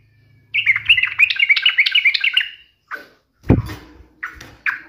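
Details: Yellow-vented bulbul provoking a rival with a fast bubbling warble lasting about two seconds, followed by scattered single notes and a sharp low knock.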